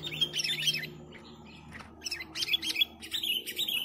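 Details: Busy sooty-headed bulbul song for luring birds: tumbling clusters of bright, quick, warbled notes in two main bursts separated by a short lull, over a steady low hum.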